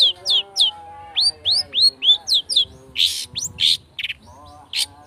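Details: Long-tailed shrike in speed rapet style, used to provoke singing: a string of loud upswept and downslurred whistles about four per second, then harsher buzzy bursts and a few scattered chirps, over a faint low hum.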